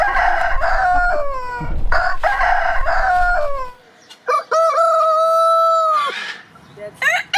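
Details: Rooster crowing long: loud, harmonic-rich crows with falling drawn-out endings fill the first four seconds, then a pause and another sustained, level crow held for nearly two seconds, followed by brief fainter calls.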